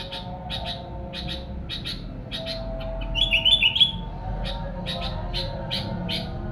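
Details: Sooty-headed bulbul song for luring wild birds: rapid paired chirps about three per second, broken midway by a short rippling whistled phrase, with low rumbling background noise.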